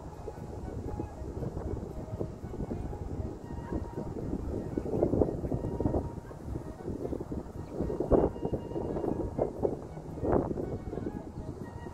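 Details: Steady low wind rumble buffets the microphone throughout, with no animal calls audible.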